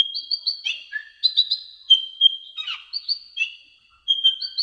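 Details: Brown-throated sunbird singing for a tutor recording: lively high twitters and sharp chirps, with a brief lower trill, running over a steady thin whistle before a short pause and another burst.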